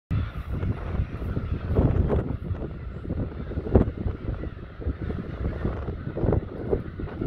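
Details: Loud, rumbling wind and engine-like noise fills the recording, with no clear animal calls heard.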